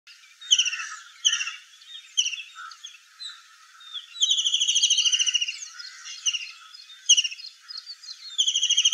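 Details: White-throated kingfisher in the Aravali hills giving loud, harsh, high chattering calls, some in rapid rattling trills lasting about a second, repeated several times.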